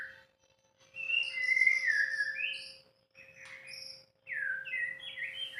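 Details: White-rumped shama giving high sweet whistles and slurred notes in three separate phrases with short silences between, plus a faint hum.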